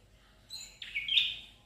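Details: Red-headed tailorbird (prenjak kepala merah) from Indonesia, giving a short burst of bright, high chirps that slide down into a sharp, ringing note lasting about a second. The background is quiet.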